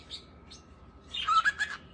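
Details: Great Kiskadee singing at 5 a.m. in morning sun: a loud, quick three-note phrase, bright and slightly buzzy, after a couple of faint high chirps; a steady low hum runs underneath.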